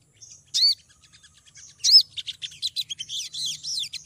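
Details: Lure call of a female olive-backed sunbird summoning a male: two loud, arched, high chirps a second apart, joined by thin faint notes, then a dense, fast twittering of sharp high notes.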